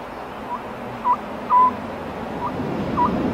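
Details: Oriental scops owl calling at night in spring, giving soft, hollow whistled notes at one steady pitch, about five in three seconds, over a faint hiss.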